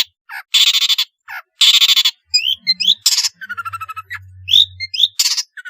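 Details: Long-tailed shrike in lively varied song with mixed fill-in phrases, played as a lure to get quiet shrikes singing: harsh buzzy rattling bursts alternate with short rising whistles and a scratchy trill, over a low steady hum.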